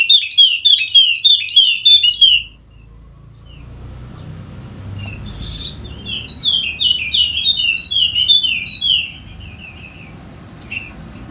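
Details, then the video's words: Wallacean white-eye endemic to Sumbawa, a prompt for lazy singers: a brisk run of high, bouncing downward-slurred notes, a pause with low background hum, then a second long chirping phrase. "Pancingan Khusus Untuk Burung Pleci Wallacea Yang Malas Bunyi Agar Rajin Bunyi Gacor!!!"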